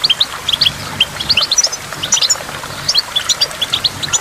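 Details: By a waterfall with water drops, a goldfinch utters sparse, clear, high chirps and short twitters, one or two notes at a time with small gaps.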